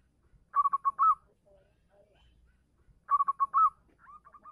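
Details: A local zebra dove calls to a female with two matching phrases some two and a half seconds apart, quick stuttering coos running into a longer rolling note, then a fainter string of short notes at the end.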